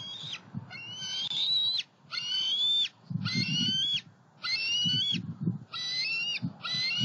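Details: Juvenile bald eagles flying from the nest to a pond and a snag tree, Southwest Florida, July 2020; rapid run of seven high, wheezy whistled squeals with brief gaps, plus low wind buffeting.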